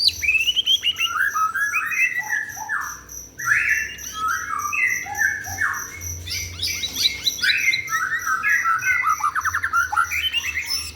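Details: After a bath, a white-rumped shama pours out loud, energetic song of clear whistles, slurred descending notes and quick chattering trills, phrases following one another almost without pause.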